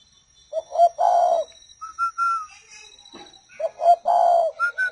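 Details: Tame caged spotted doves, a pair raising young: a throaty two-part coo with a rough drawn-out second note, a pause with sliding whistled notes, then the same gruff coo pattern repeated, ending in high whistles.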